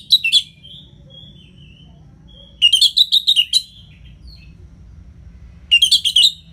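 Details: Orange-headed thrush (Anis Merah) in ngeplong style, meant as a lure for quiet birds: short twittered phrases at the start, faint soft whistles, then two loud bursts of rapid, jerky, high warbling notes.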